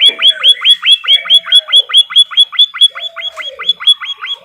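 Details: White-headed munia, a training recording for cage birds, giving rapid repeated sharp chirps with a rising flick about two per second, interrupted by a few low, slowly falling whistled notes.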